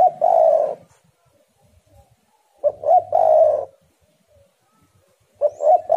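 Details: Spotted dove (tekukur) singing energetically, described as birds heating each other up, used as a lure to prompt other doves to call; mellow, low cooing phrases at steady pitch, three bursts about every two and a half seconds, faint low hum behind.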